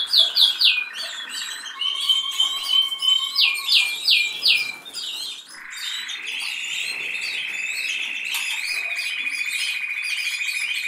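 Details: Canary song: bright, high rapid trills and repeated chirps, then a long sustained rolling trill held for several seconds.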